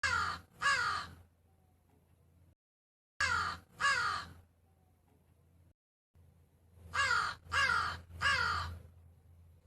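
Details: Crow giving harsh, rasping caws in close pairs, three pairs spread over about ten seconds with quiet gaps between them, each caw slightly descending and buzzy.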